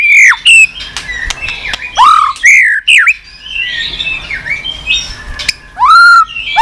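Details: White-rumped shama giving continuous tack calls and song, used to rouse weak-spirited and young shamas; loud whistled notes falling and rising, harsh squawky bursts, sharp clicks between phrases.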